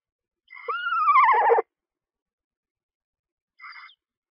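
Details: At a nest box during the feeding of one- to two-day-old owlets, a screech owl gives a wavering, descending whinny that turns rough at the end, followed two seconds later by a short, faint high note.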